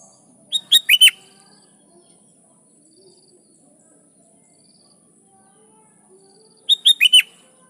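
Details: Lively sooty-headed bulbul singing to call rivals so wild birds answer: a brisk four-note whistled phrase, then a long pause of about six seconds before the same phrase returns.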